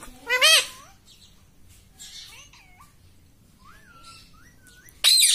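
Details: A pet parrot says "mummy" in a loud, wavering nasal call. Several soft, thin whistled glides follow, then an abrupt harsh burst at the end.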